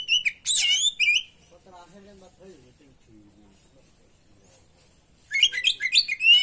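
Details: Oriental magpie-robin (kacer) singing a lure (pancingan) training song rich in fill-in phrases: a loud burst of high, rapid, buzzy and whistled notes, a long quiet gap with faint low tonal sounds, then another dense chattering burst.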